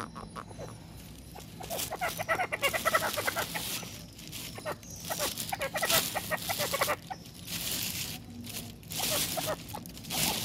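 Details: Female grey francolin feeding with chicks: soft, rapid clucking notes in uneven bursts, with breathy rustling and outdoor hiss around them.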